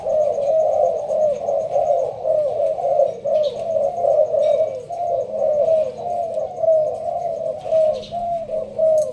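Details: Spotted dove of the Malaysian strain in a leaf-covered cage, performing rapid sparse-style cooing. Soft, rolling coos follow one another about once a second, with faint high ticking and rustles behind them.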